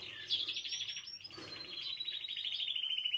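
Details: Spanish timbrado canary song used for teaching young birds: an unbroken, rapidly pulsed high trill that slides gently downward and keeps going for the whole stretch, with a soft background murmur.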